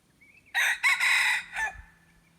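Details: Red junglefowl crow used as a decoy to lure wild junglefowl, recorded 10 March 2022: one loud, hoarse, multi-part crow with a brief rising lead-in, a strong sustained middle and a fading tail.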